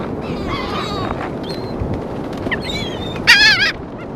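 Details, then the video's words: Feeding seagulls on St. Augustine Beach, Florida, in 2016 give thin drawn-out cries, then one loud nearby bird lets out a shrill, wavering squeal near the end, with ocean surf rushing underneath. "Feeding Seagulls - St. Augustine Beach Florida 2016"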